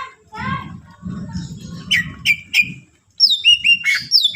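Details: Greater green leafbird song intended to incite other leafbirds: faint warbles over low rumbling noise, a few sharp downslurred notes, then after a brief gap a loud stream of high whistled phrases.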